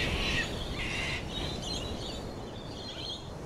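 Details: Laughing kookaburra opening with two loud, coarse cackling bursts that fade into softer, higher chuckles, over a steady low background rumble.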